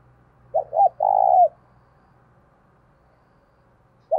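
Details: Spotted dove decoy cooing with eagerness to trigger another dove's cooing: one clear phrase of two short coos and a long falling croo, a low faint hum beneath, the next phrase just beginning.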